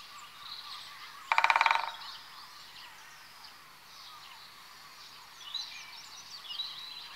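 Great spotted woodpecker gives one brief, rapid burst of about a dozen sharp knocks lasting half a second. Faint songbirds chirp in the background.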